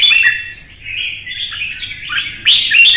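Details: Caged red-whiskered bulbul from Vietnam provoked into competitive contest singing: a loud, warbled phrase of sliding, slightly rough whistled notes, dipping in the middle, then rising into bright, sharp accented notes at the end.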